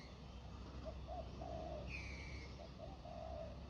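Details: Spotted dove drawn to the ground by a decoy, uttering two low, mellow coo phrases, each of short notes ending in a drawn-out hoot, with a single higher whistled note between them and steady background hiss.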